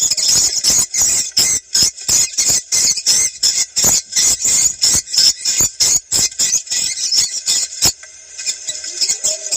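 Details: Recorded swiftlet calls used to check a location for swiftlet farming in South Kalimantan. Shrill, buzzy pulses repeat roughly three per second for eight seconds, then fade to a faint chatter.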